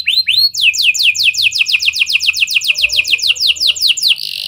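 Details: Canary singing in a style mixing lovebird and prenjak phrases, used as a lure to get other canaries singing long: two rising whistles, then a fast series of about six downward-swept chirps per second, ending in a buzzy note.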